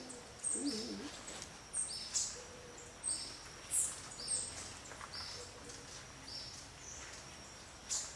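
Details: Blue-necked Tanager (Tangara cyanicollis cyanopygia) at Milpe Bird Sanctuary, Ecuador, May 2012, calling with thin, very high chips and short sharp notes, loosely spaced every half second to a second, over soft background hiss.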